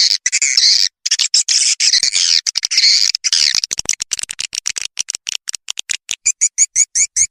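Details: Swiftlet lure sound for drawing swiftlets into a house to nest, tested outdoors: dense, buzzy twittering chatter at first, then a rapid series of short, clipped chirps repeating several times a second.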